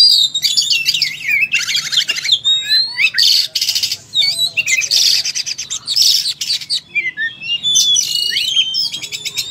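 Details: Oriental magpie-robin in full song, loaded with varied material: bursts of harsh buzzy noise between sweet slurred whistles and quick chattering notes, nearly nonstop.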